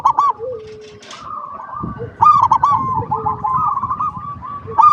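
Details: Zebra dove singing steadily, played as a lure so other doves answer. Short rolling coo phrases open and close the stretch, with a fast trilled burst near the middle, a sustained cooing tone throughout, and faint low rumbling underneath.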